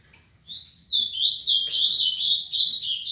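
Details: A seven-year-old ultramarine grosbeak delivers its Paraná-style song, a continuous run of sweet, slurred whistles that climb and dip rapidly, growing louder toward the middle, over faint low background hum.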